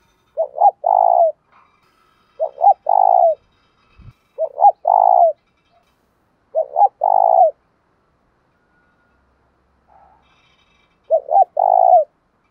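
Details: Decoy spotted dove repeatedly calling to lure wild rival doves: five low cooing phrases roughly every two to three seconds, each two short notes then a longer throaty coo, with a single click.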